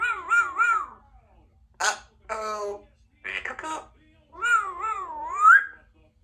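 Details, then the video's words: Two-year-old female Congo African grey parrot, a pet in a country home, practicing her words and sounds indoors; wavering, warbled whistle-like notes, a few short clipped vocal bursts, then a long rising, quavering sound. "African Grey Talking Parrot practicing her words and sounds"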